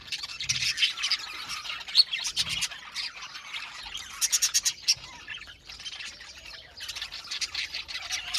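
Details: An aviary colony of Australian budgies fills the air with continuous high warbling chatter, broken by clusters of sharp, clicking chirps in quick rows around four and seven seconds.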